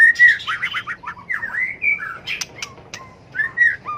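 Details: Fighting song from a white-rumped shama for stimulating birds: a bright steady whistle, a rapid jumble of chattering notes, swooping slurred whistles, then sharp clicks and a closing clear whistle.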